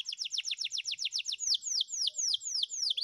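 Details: Spanish Timbrado canary training song: a rapid run of descending whistled notes, slowing into broader downward-sweeping notes repeated about three per second.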